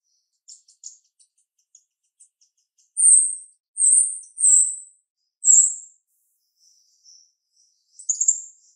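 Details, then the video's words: Sharp-voiced female jalak rio-rio starling: faint scattered ticks, then four loud, piercing, slightly falling high whistles about a second apart, then soft chips and a final scratchy burst. "Jalak RIo Rio Betina suara tajam"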